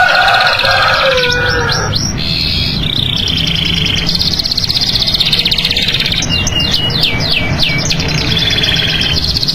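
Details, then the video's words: National champion canary in full song, very loud: long steady trills and rolling buzzy phrases, a low warbling passage at the start, then bursts of rapid descending sweeps, with constant background hum. "KUMPULAN SUARA KENARI GACOR BERBAGAI VARIASI DAN GAYA !"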